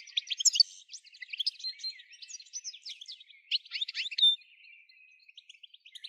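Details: Goldfinch song, meant to stimulate other goldfinches: tumbling sequences of sharp twitters and chirps, a brief loud burst near the middle, then softer thin trills trailing off.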